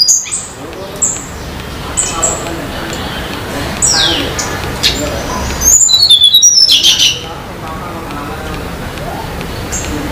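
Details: Wild Sunda laughingthrush in the mountains of Banyuwangi, Indonesia: scattered short high whistles, then a dense run of bright descending whistled notes around the middle, with steady background hiss.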